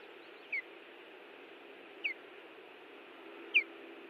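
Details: Ospreys at a Hellgate Canyon nest in Missoula, Montana, defending it on June 18, 2017: three clear, piercing downslurred whistles, about one and a half seconds apart, above constant low hiss.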